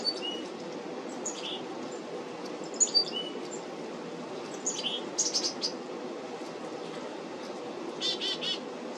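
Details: Black-capped chickadees at a feeder on 17 July 2025 give scattered high, thin chips and soft twittering notes, then a short buzzy burst near the end, over a steady low background rumble.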